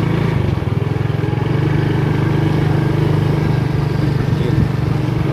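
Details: Loud throbbing motor engine, like a motorcycle or lawn mower, idles steadily throughout, drowning out any other sound.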